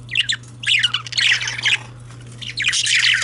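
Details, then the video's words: Chatter of male budgies: rapid, harsh, squeaky warbled phrases tumbling together in uneven bursts, with clicks and grating notes mixed in, and a constant faint low hum in the background. "Male Budgies/Parakeets"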